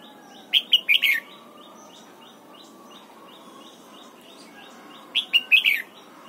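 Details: Morning song of a red-whiskered bulbul being trained for the 'double-note' wild style: two quick liquid phrases, each four or five clipped whistled notes ending in a downward slur, separated by about four seconds of quiet background hiss.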